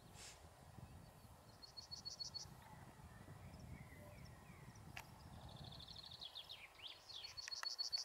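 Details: Yellowhammer on Uddel heathland in May 2013: two brief runs of high, evenly repeated thin notes, the second ending in slurred sweeps, over a steady low rumble and rustling background.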